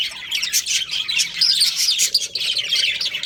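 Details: Breeding pair of pet budgerigars chattering nonstop, a dense stream of high, scratchy chirps and warbles with short bright whistled notes, faint low hum underneath.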